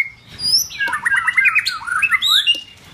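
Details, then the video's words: White-rumped shama in form building: a soft whistle, then a fast tumbling burst of warbled, zigzagging notes with high thin overtones and a couple of sharp clicks. "White Rumped shama- form building"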